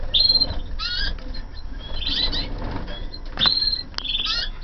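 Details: Several 2014 canaries in a flight aviary: clear upward-sweeping chirps and short trills repeat in quick groups, mixed with wingbeats and a steady low hum.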